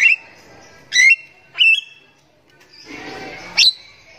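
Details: Javan myna singing in the morning, alternating loud squawky whistles with a pause and a burst of rough, noisy chatter before one more sharp note.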